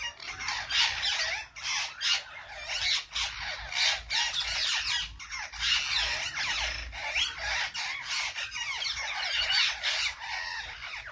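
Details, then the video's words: A crowd of parrots keeps up continuous raucous squawking and chattering, harsh broadband calls overlapping without a break, faint low rumble underneath. "May parrots 🦜"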